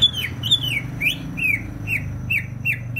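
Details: [1, 'Greater green leafbird from Banyuwangi, East Java, singing vigorously: a run of clear whistled notes, each sliding down sharply, about eight in three seconds, with a low background hum.']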